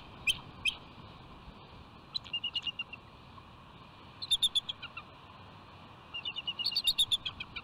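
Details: Bald eagles calling at their nest rock on Catalina Island, California, on January 24, 2020, while mating takes place: scattered high chips, then quick stuttering runs of squeaky piping notes over a steady hiss.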